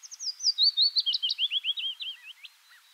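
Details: Song of a willow warbler: a gentle, descending string of about a dozen whistled, down-slurred notes lasting some two seconds, over light background hiss.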